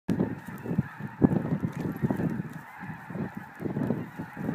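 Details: Snow geese arriving, a large flock calling together: a dense, continuous clamour of overlapping low nasal honks and yelps, some louder bursts rising above the steady din.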